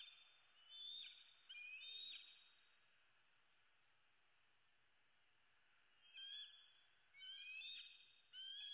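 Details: Food-begging screams from a bald eagle eaglet that flies into the nest slot, Southwest Florida, USA, morning of 8 May 2016: two shrill whistled bursts, a long quiet stretch, then three more sharp screams.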